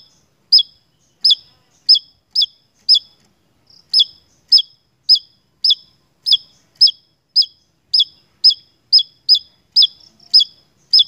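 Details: Javan tesia in full song for a lure recording: a long run of clipped, high, ringing notes, each with a falling tail, at about two per second after a brief early pause, in a clean quiet setting.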